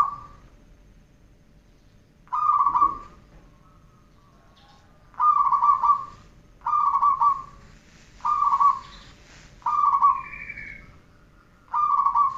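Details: Zebra dove training recording: short, rough, mid-pitched cooing phrases repeated about every one and a half seconds in a steady series, with faint background twitter.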